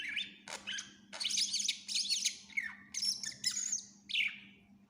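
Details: Vigorous greater green leafbird song packed with varied fills, offered as a tutor for other songbirds: dense runs of bright chattering notes and falling whistles, some rising high, with a constant low hum beneath.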